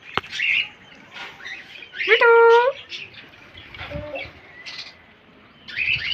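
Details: Green parrot kept as a pet giving soft, muffled chatter, then one strong nasal harmonic call lasting about half a second, followed by quieter mumbled syllables and a brief faint note at the close.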